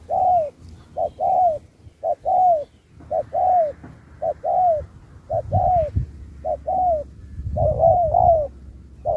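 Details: Contest spotted dove (2024), 'Thúc' style with 'Bo', changing phrases like a wild bird: a long run of hollow coos, each short note leading into a longer downward-sliding one, steady rhythm, faint low background hum and thumps.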